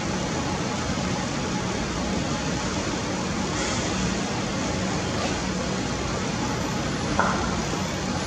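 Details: Steady loud roar of traffic or machinery fills the whole recording, with no animal calls.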